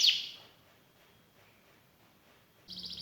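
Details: Canary of the 'gacor' singing style starts with a loud fading burst, falls quiet for two seconds, then breaks into a rapid, even trill of high notes.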